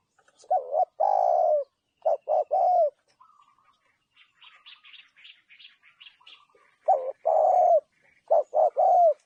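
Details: Spotted dove cooing clearly: groups of low, mellow coos, several short notes ending in a longer drawn-out one, repeated; a quieter stretch midway carries other small birds' high chirps and twitters.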